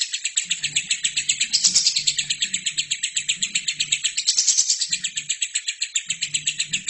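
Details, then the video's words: Tutor recording of a vigorously singing lovebird for other birds to learn from: relentless high-pitched chirping, roughly four notes a second, with two brighter, harsher flurries partway through. "LOVERBIRD GACOR!!! INILAH HASIL TERAPI MASTERAN TERBAIK 2017"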